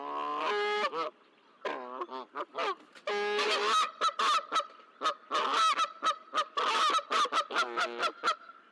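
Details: Goose pair on the ground near their nest at Decorah, 16 March 2024, honking noisily at an eagle perched close to the nest: loud, harsh, harmonic honks, first in long drawn blasts, then in rapid clipped bursts of many short honks, with a faint steady high tone behind.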